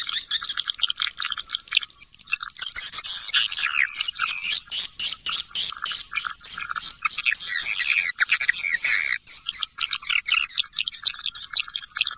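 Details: Swiftlet lure sound for attracting the birds: rapid series of high chirps and clicks, building into a dense, buzzy twittering chorus that keeps pulsing in quick bursts.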